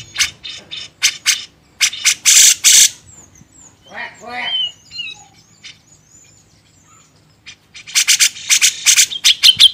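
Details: Grey-cheeked bulbul from a songbird training master: loud scratchy bursts, a middle stretch of softer warbled and slurred notes, then a fast run of sharp rasping chatter.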